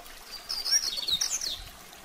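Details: Double-collared seedeater singing in the mateiro style, a song used for training that excites most coleiros; a quick, high twittering phrase of thin whistles and trills lasting about a second.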